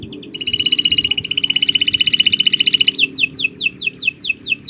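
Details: Canary singing long and steadily as a training recording for other birds: an extended fast, even trill lasting over two seconds, then quick down-slurred whistles, over a low steady hum.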